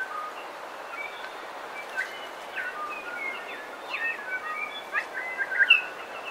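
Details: Bellbirds in a coastal dawn chorus, clear whistled and slurred notes, some rising and falling, scattered through the clip with overlapping chirps from several birds over a steady background hiss.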